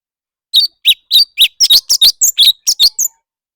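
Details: Competitive song of a leafbird: a lively, uneven series of about twelve crisp, high chirps and short whistled notes, some slurred downward, delivered within three seconds against silence.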